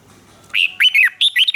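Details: Caged red-whiskered bulbul in Thailand giving a southern master-style song used to excite and train other bulbuls. A rising whistle is followed by a rolling, warbled run of bright notes. No other sounds.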